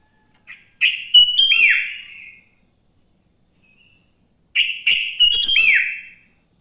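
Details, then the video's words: Sooty-headed bulbul in the morning, singing as a lure to set off other bulbuls: two lively phrases of clipped notes ending in a downward swoop, about four seconds apart, with a faint steady high whine. "Suara Burung kutilang GACOR di Pagi hari‼️ Joss Buat Pancingan Kutilang Bahan Agar Cepat Bunyi"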